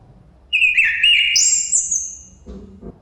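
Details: A chestnut-capped thrush gives one song phrase: a clear mid-pitched whistle that slurs into a long, very high, drawn-out whistle and then fades. A faint wind rumble sits in the background.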